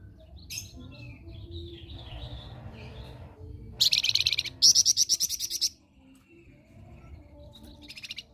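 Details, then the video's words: Blood-breasted flowerpecker singing actively, kept for tutoring other songbirds: after faint twittering, two loud bursts of rapid high repeated notes ring out, then soft scattered notes. "Burung Flamboyan Gacor Mulai Di minati Untuk Masteran"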